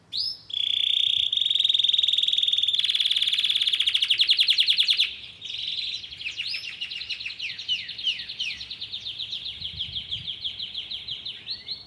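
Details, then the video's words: A yellow Belgian canary sings a long phrase: a sustained piercing high note, then a very fast buzzy rattle, followed by a looser series of quick descending chirps. "Canário belga amarelo cantando muito"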